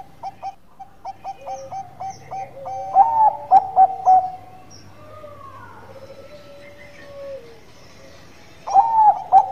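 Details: Bangkok zebra dove in manggung song: a rapid string of short, evenly spaced coo notes accelerates into a loud ringing burst, then fades into a sliding, drawn-out lower coo before the burst returns.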